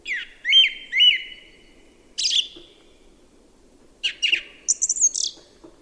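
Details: Song thrush song: a clear two-part phrase given twice in quick succession, then a burst of harsh high notes and, after a pause, a fast, varied string of squeaky, twittering figures. Quiet low hum underneath.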